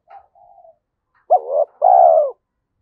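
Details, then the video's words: Spotted dove singing in the 'giọng thổ' style, said to suit the forest for luring: faint soft notes, then one loud two-part coo, a short upswept note followed by a long, even, hollow note. "cu gáy giọng thổ Thúc Đấu giọng hợp rừng khi đi gài"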